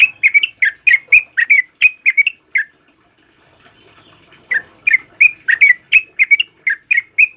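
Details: Yellow-vented bulbul delivering rapid bursts of bright, bubbling whistled notes, about three a second. A quiet gap of nearly two seconds separates two lively phrases.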